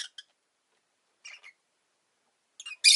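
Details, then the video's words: Rosy-faced lovebird chirping: two short harsh chirps, a pair of scratchy notes mid-clip, then a loud rasping burst at the end, all high and broadband, with silence between. "Lovebird Chirping Sounds"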